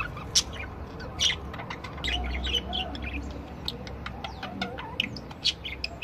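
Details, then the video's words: Chattering warble of several budgerigars, with loud scratchy squawks at intervals among continuous clicks, ticks and soft whistled notes over a low hum. "Chant perruches"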